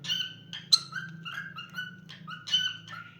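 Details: Cockatiel kept as a pet, singing a short sequence of bright whistles and warbled slurred notes mixed with scratchy chirps, over a steady low electrical hum.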